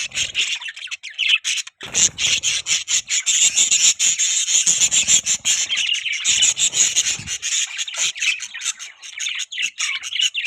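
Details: Budgies chatter continuously in rapid, buzzy and scratchy chirps, layered thickly, with a few harsh squawk-like notes and brief low thumps.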